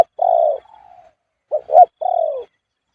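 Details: Spotted Dove cooing khu-ang style at point 38. It gives a long, even, slightly falling coo, then a pair of short, sharp notes and another long coo. A softer flat coo trails after the first note.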